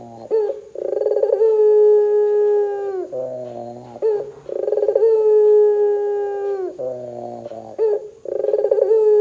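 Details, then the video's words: A Barbary dove calls in lively 'gacor' style, used to get other doves calling: rolled openings leading into sustained, flat, low coos, broken by brief wavering notes and clipped fragments. "suara PUTER gacor Bikin PUTER Lain dengar cepat IKUT BUNYI"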